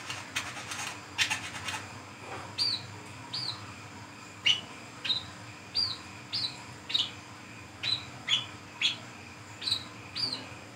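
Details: Brown-throated sunbird, ngriwik ngeplong style, calling in the forest at night, recorded as a luring sound: a long run of crisp high chirps, each rising then dropping, roughly two per second after a brief scratchy start.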